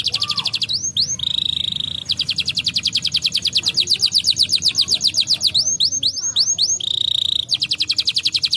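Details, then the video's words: Brown canary singing, used to get lazy canaries singing: a steady held whistle leading into an extended fast trill, a burst of rising sweeps, then another flat held tone and trill. "Canários marrons são muito bons para estimular o som de canários preguiçosos cantando"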